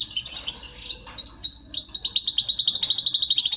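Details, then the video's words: Male canary singing. High sweeping whistled notes give way to a fast, even trill of repeated chips, about three per second, loud and continuous over a low background hum. "طريقة تحفيز دكور طائر الكناري على التغريد والهيجان"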